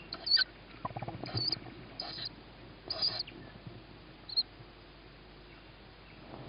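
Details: Young tawny owl chick giving short, hoarse, hissing begging calls, about five in six seconds, with scratchy rustling between them, on hearing its mother, as food reaches a sibling on a roof before feeding; 21 May 2017, 21:38.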